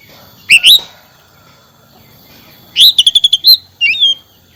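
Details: Oriental magpie-robin or kacer: a short double whistle, a pause, then a fast rattling run of repeated high notes ending in a rising whistle and a slurred phrase.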